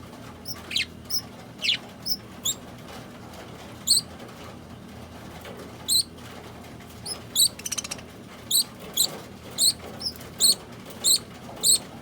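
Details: Yellow and yellow-green pet budgerigars giving short, high, squeaky chirps, repeated in quick bursts.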